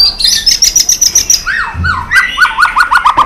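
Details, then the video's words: White-rumped shama in competition singing: a high rapid trill of repeated notes, then a series of downslurred whistles repeated about every fifth of a second. "chòe lửa tạch đập đuôi kích lửa hót đấu căng lửa.luyện chòe lửa hót nhiều giọng rừng dài"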